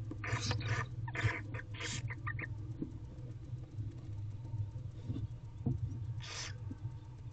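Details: Wild female barn owl and five recently hatched owlets in a nest box, afternoon: a cluster of rough hissing bursts early on, then one more later, with a constant low rumble beneath.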